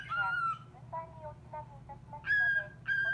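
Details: Responding to a call-centre recording, a cockatiel gives one long descending whistle, then a run of softer, lower short notes, then two loud bright whistles; a faint steady hum runs underneath.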